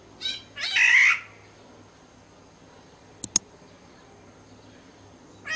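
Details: Black-naped oriole (kepodang) from Sumbawa, used as a lure: a short loud harsh burst with a nasal quality near the start, then two sharp clicks and quiet background.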